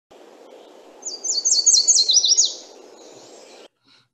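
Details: A Yellow Warbler sings its sweet "sweet sweet sweet, I'm so sweet" song, a quick run of about eight bright, high, slurred notes over one and a half seconds, above a low steady hum.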